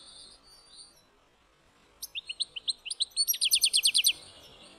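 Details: A European goldfinch of the black-headed form, heard in a village region, sings a quick, liquid twittering phrase: a few thin higher notes, then high tinkling notes that speed into a rapid trill.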